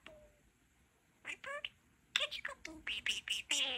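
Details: Pet male budgerigar talking indoors, mimicking human phrases including a newly learned "Sweetie Pie!"; after a quiet start, short buzzy, voice-like bursts come in quick succession, ending in a run of rapid chattered syllables.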